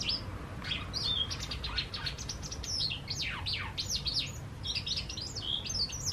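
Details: White wagtails visiting a balcony and garden; a busy run of sharp high chirps and downslurred twitters, many notes in quick succession with a steady low background hum.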